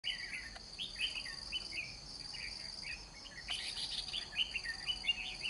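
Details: White-cheeked red-whiskered bulbul being trapped, fighting with a spread display: short warbled, whistled phrases repeated in quick succession, roughly twice a second, over a steady high-pitched insect drone.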